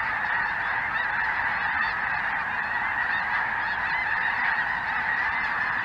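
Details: Large mixed flock, mostly Snow and Greater White-fronted Geese, filling the sky in southern Indiana during a chilly January afternoon; an unbroken wall of honking with occasional clearer single calls.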